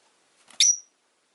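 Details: A single piercing, high chirp from caged rosy-faced lovebirds, five kept by a window, rising sharply into a brief whistled note after a soft scratchy lead-in.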